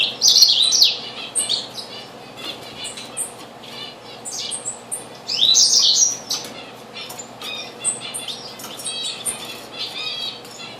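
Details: Diamond firetail visiting a bird bath on 04-06-2013, giving loud high twittering chirps in quick bursts, strongest at the start and again midway, amid other small-bird calls.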